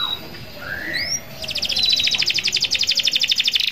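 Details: Canary singing loudly to call rivals: a few upslurred whistles, then a long rapid buzzy trill of repeated notes around four kilohertz, about three per second, running to the end.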